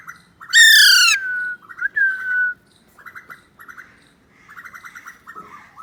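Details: Alexandrine parakeet kept as a talking pet, playing with a phone: a loud raucous squawk sliding into a drawn-out whistled tone, a second shorter whistle, then clusters of soft quick chattering notes.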